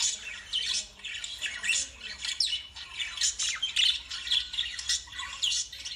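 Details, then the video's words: Lovebirds in a dense, continuous chorus of shrill, high squawks and chirps, overlapping rapidly with scattered sharp whistled notes throughout; no other sounds stand out. "Love birds sound"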